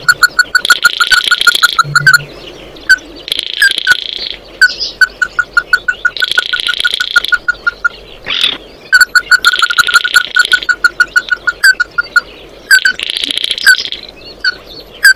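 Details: An Oriental white-eye calls its flock in repeated bursts. Quick trains of clear notes alternate with patches of high, hissy twittering, and short pauses fall between the bouts.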